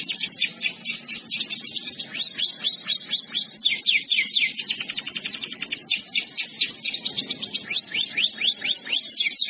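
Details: Canary training song, nearly ten seconds of unbroken trilling: high, sweeping notes in fast runs, shifting between buzzy rattles and clearer, descending slurs over a faint low hum.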